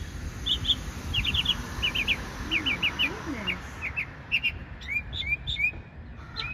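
A bird sings quick bright chirps in twos and threes, then clear rising upslurred notes, over steady low rumble and a faint voice.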